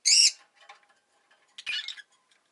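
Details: Rosy-faced lovebird kept as a pet: an opening shrill, slightly wavering squeak, a long pause, then a rougher, scratchier chirp.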